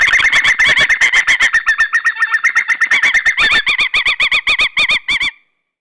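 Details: Eagles of a pair in Estonia at their seaside nest, February 2013, yelp in quick repeated notes that shift into clear, evenly spaced rising-falling calls before stopping abruptly.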